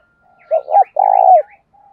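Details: Low cooing of a decoy spotted dove meant to attract wild doves: two brief notes then a sustained buzzy, rattling coo that drops at the close, light chirps above.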